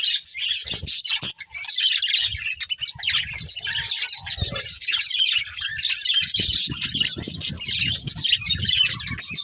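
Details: A family of pet budgerigars chirps and warbles nonstop, a dense wash of high twittering notes, accompanied by frequent low thumps and rustling from cage movement.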